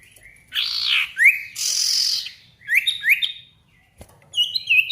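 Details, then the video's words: A sirtu in energetic song, used as a lure to provoke a rival and get silent birds singing. Harsh buzzy bursts alternate with quick rising whistled notes, followed by a click and more high twittering whistles. "PANCINGAN SIRTU GACOR MANGGIL LAWAN COCOK UNTUK SIRTU DIAM AGAR CEPAT BUNYI DAN GACOR"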